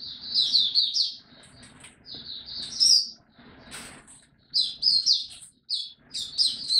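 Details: A white-eye called mata puteh, a caged hobby bird in Singapore, singing again on 31 July 2023; excited high twittering bursts broken by pauses and a faint flutter of wings.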